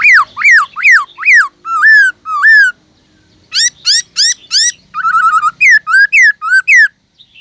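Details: Caged black-throated laughingthrush singing many-voiced forest song to stimulate other birds: a series of arched whistles, a brief pause, then buzzy harmonic-rich notes, a fast trill and repeated rising-falling whistles.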